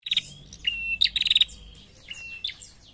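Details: Female prinia calling to males with a high whistle and a quick series of sharp chips, then a drawn-out level whistle and soft trailing chirps, all fairly faint.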